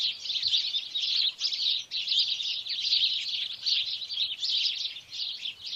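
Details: Sparrow, a small bird with a short tail and strong beak that often nests near buildings, chirps in a dense, continuous chatter of high, overlapping notes like a busy flock, over faint background noise.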